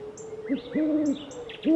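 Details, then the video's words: Owl, one of several owls gathered together, giving low hoots that rise and fall, some drawn out for half a second, with faint high chirps of other birds behind. "SOM DE CORUJAS - DIVERSAS E INCRÍVEIS CORUJAS - OWL SOUND - CANTO DAS CORUJAS"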